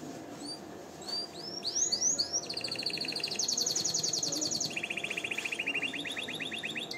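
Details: Canary singing meant for tutoring and for arousing females to mate: a few sharp rising chirps build into sweeping notes, then sustained fast trills that drop to a lower rolling tour.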